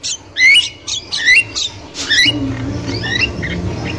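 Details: Energetic wild Javan myna: sharp upslurred whistles and rasping notes in quick succession, roughly one per second, with a continuous low humming drone growing stronger in the second half.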